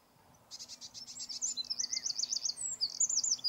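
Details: Eurasian wren song: a rapid, high, buzzy trill that runs into looping warbled phrases and sharp chips. The notes are delivered fast and loud against quiet background hiss.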